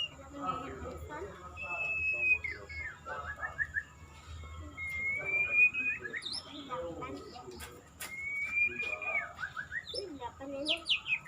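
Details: White-rumped shama singing in the bowing 'sujud' style: a loud, clear whistled phrase that rises and slurs, repeated about every three seconds, with lower chattering and warbled notes in between.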